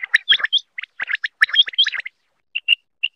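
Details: Common quail female calling, played as a lure for hunting: quick clipped chirps in tight clusters, then a few separate, clearer whistled notes near the end.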